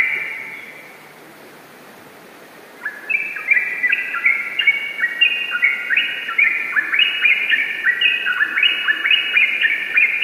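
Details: Yellow-vented bulbul (Pycnonotus goiavier) song: a fast, bubbly run of short bright chirps and warbled phrases repeating without pause for about seven seconds after a quiet start.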